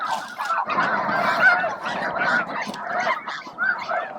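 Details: Dense flock of snow geese feeding and squabbling over space at Bosque del Apache around noon; short burst of thick, overlapping honking that pulses in loudness.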